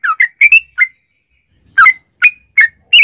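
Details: Yellow-vented bulbul lure song in rapid 'ropel' style: a cluster of four bright chirps, almost a second of silence, then four more spaced chirps, each short and falling slightly.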